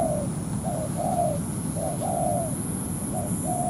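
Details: ['A spotted dove decoy on the ground calls to draw a wild rival into a territorial fight. A brief clipped coo leads into a drawn-out descending crooo, about once a second, under heavy low rumbling noise and a thin high tone.']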